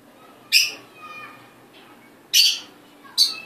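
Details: Hand-raised pearl cockatiel giving three short, harsh squawks, spaced about a second or two apart, with faint whistled notes between them in a quiet room.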